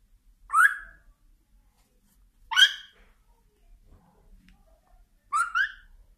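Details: African grey parrot giving three short, harsh whistled calls, each rising then breaking off with a buzzy edge, spaced roughly two to three seconds apart in an otherwise quiet indoor setting.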